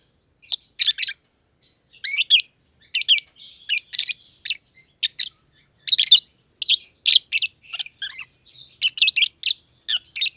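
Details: Green and green pied personata lovebirds, two close companions kept in a simple aviary, chirping at length. Irregular clusters of shrill, buzzy high chirps with short pauses between bursts.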